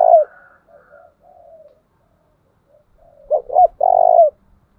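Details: Spotted dove decoy bird used to train other doves, giving the deep 'chìm' 'thúc bổi' style of cooing: a strong opening coo, soft faint trailing notes, then a quick double coo and one longer, sustained coo near the end, against a quiet background.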